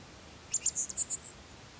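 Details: A black-masked finch, recorded in Pompéu, Minas Gerais, Brazil, gives a quick run of about seven thin, very high notes in under a second, over faint background hiss.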